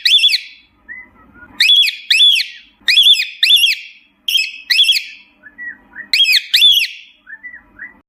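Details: A cockatiel gives loud, shrill, up-and-down whistled contact calls, often in quick pairs, calling out to its companions; used for finding a lost parrot.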